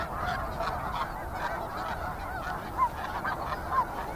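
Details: Snow geese calling from a flock, a soft distant murmur of honks with a couple of sharper, nearer downward-curving notes toward the end.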